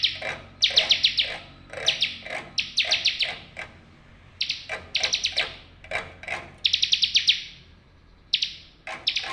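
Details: Bar-winged prinia delivering bursts of rapid, sharp, chattering trills separated by short pauses, each phrase under a second long. A soft low hum runs beneath. Played as therapy for birds that quit singing.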